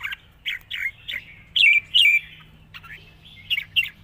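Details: Wild-style song of a red-whiskered bulbul, delivered in long, soft phrases: short clear whistled notes in a steady series, two louder slurred whistles in the middle, then scattered lighter notes, with a low hum behind.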